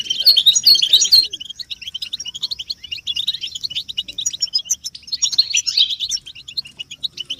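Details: Collective twittering of European goldfinches, used to prompt silent caged males into song; a loud burst of sharp high chirps opens, then steady rapid overlapping twitters and trills continue with brief stronger flurries.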